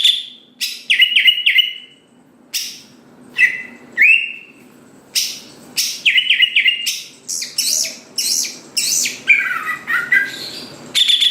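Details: Greater green leafbird song aimed at prompting other leafbirds to sing quickly: varied phrases of sharp chips, clear downslurred whistles and chattering runs, repeated in bursts with brief gaps over about eleven seconds.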